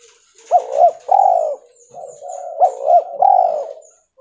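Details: Cotton-white albino mutation of a spotted dove cooing twice in succession, each phrase a soft clipped note followed by a long mellow hooting coo, gently wavering in pitch, with a faint low hum between phrases.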